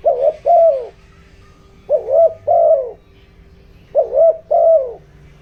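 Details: Decoy spotted dove giving a 'giọng đồng' luring call to excite wild birds; three phrases of triple coos, short, short, then a longer wavering note, about every two seconds over a low hum.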